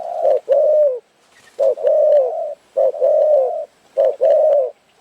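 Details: Spotted Dove cooing at a trapping site in Phrae while the team waits for birds: loud, low, hollow coos in short phrases, a brief note followed by a longer drawn coo, repeated after pauses of about a second.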